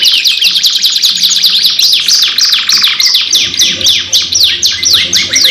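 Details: Two canaries in a long, energetic lure song: rapid high descending sweeps repeated several times a second, with a buzzy rolling trill near the middle and a faint low hum underneath.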